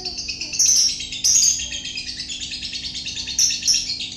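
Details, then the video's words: Ngekek song of a lovebird: dense, fast, high-pitched chatter with brief piercing squeaky bursts near the start and again toward the end, sustained without pause. "Mantap Ngekeknya Lovebird"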